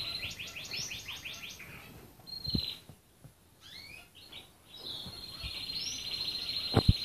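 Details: Red canary delivering a rapid stepped trill of repeated notes, then a pause, a few slurred whistles and a long high rolling trill, with clicks and knocks nearby.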